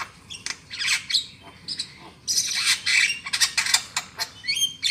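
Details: Black-winged myna lure call for trapping: dense harsh squawking and chattering that builds into a loud noisy burst midway, then quick rasping notes and a few rising whistled chirps at the end.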